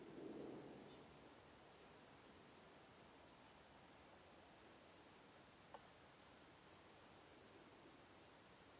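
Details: Young fork-tailed sunbird in Hong Kong giving sharp, very high-pitched single notes, spaced roughly every three quarters of a second, against a constant shrill insect drone and one brief low note.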